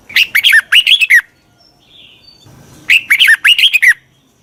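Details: Red-whiskered bulbul decoy calling to attract wild birds: two matching phrases of rapid, cheerful whistled notes that rise and fall, separated by a quiet gap of about a second and a half.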